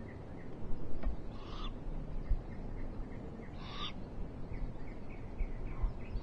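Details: Eurasian eagle-owls at a nest followed by a live owl camera on 21 March 2023, a rainy then sunny spell: two harsh, breathy hissing screeches about two seconds apart, small birds twittering softly behind.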